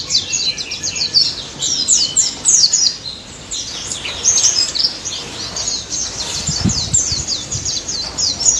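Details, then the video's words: Lively white-eye song of rapid high twitters and slurred whistles in dense bursts, with a brief low knock near the end. "BURUNG PLECI DAPUT GACOR NGALAS NEMBAK"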